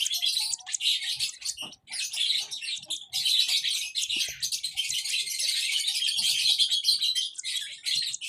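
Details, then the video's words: Young lovebird chirping: scratchy high chatter in uneven runs, becoming a steady unbroken stream in the second half. "lovebird sounds baby bird - lovebird chirping sounds"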